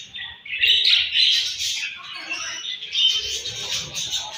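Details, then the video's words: Several budgerigars chirping in the morning at feeding time; a dense chatter of warbling, scratchy notes, loudest in the first two seconds and again near the end. "𝘽𝙪𝙙𝙜𝙞𝙚𝙨 𝙈𝙤𝙧𝙣𝙞𝙣𝙜 𝙁𝙤𝙤𝙙 𝙒𝙞𝙩𝙝 𝙈𝙤𝙧𝙣𝙞𝙣𝙜 𝘾𝙝𝙞𝙧𝙥𝙞𝙣𝙜 𝙎𝙤𝙪𝙣𝙙𝙨"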